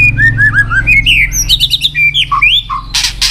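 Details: A murai batu (white-rumped shama) back in song: a string of sweet whistled slurs, followed by quick higher chirps and lower whistled notes. It ends with a burst of harsh noise, over a steady low hum.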